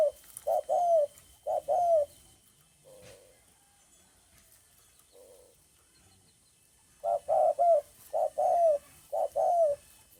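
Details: Spotted dove cooing, recorded 9 May 2020: low, soft coos in short rhythmic groups, several paired notes with a slight downward bend, a quiet pause with two faint notes, then another run of the same repeated phrase.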